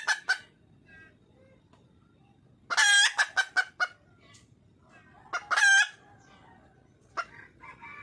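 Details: Wild junglefowl hen seeking a male: scattered clucks, then a loud harsh squawk with a few fast clucks, another strident squawk, and faint chattering over low background hiss.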